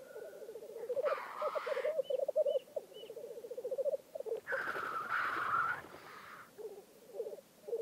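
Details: Black grouse at a lek in Vinje, Telemark: choppy bubbling coos, broken by pauses, under two long hissing sneeze calls, the second one strong. A few faint short chirps sound in between.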